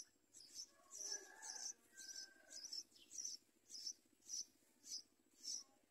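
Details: Yellow bulbul babies in a nest as a parent arrives with food; sharp, very high chirps come in a regular series about twice a second, with a few fainter lower notes early on.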